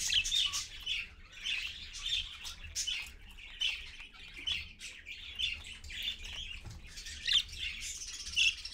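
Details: Parakeet adult with its chicks at 6:20 AM, picked up by a live camera: dense, harsh, high squawks and chattering calls tumbling over one another almost without pause, some notes sharper and louder than others.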